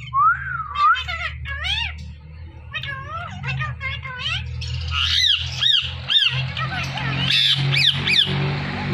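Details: Pet Indian ringneck parakeet talking: a quick run of high, bent, speech-like syllables that rise and fall, then harsher squawky notes toward the end, over a steady low hum.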